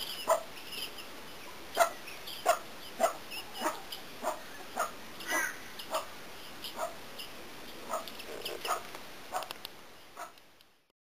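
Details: Helmeted guineafowl chicks about two weeks old, raised by a bantam hen, give short, sharp peeping calls about twice a second while being hand-fed first thing in the morning.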